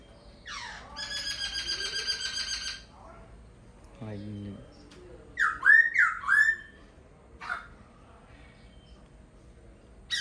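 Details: Laughingthrush song of varied phrases: a sustained, rich buzzy tone, a low brief sound, then a burst of loud slurred whistles in quick succession and one more whistled note after a pause.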